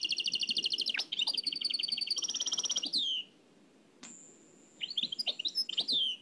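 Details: Oued El Alleug style song of a nightingale from an old cassette: layered trills and a falling slur, a long thin whistle, then clipped chirps.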